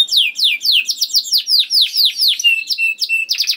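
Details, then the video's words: Canary singing to coax other canaries into song: a quick run of sweeping descending whistles, about four each second, ending in short level whistled tones. "MASTERAN KENARI !! AMPUH DENGAR KENARI DIJAMIN KENARI ANDA BUNYI SEKETIKA #146 || VOICE OF CANARY"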